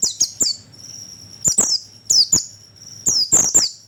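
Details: Lure call of the oriental white-eye meant to attract birds: high, down-slurred chirps in small bursts, with a steady thin whistle between them and a soft background hum.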